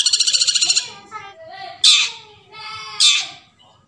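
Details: Forest long-tailed shrike used as a lure to get silent shrikes singing: a short buzzy rattle, softer warbled notes, then two loud harsh rasps a little over a second apart.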